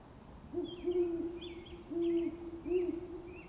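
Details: In a yard in broad daylight, a Great Horned Owl gives deep, soft hoots in a short series, each note low and even, with faint high chirps from other birds behind.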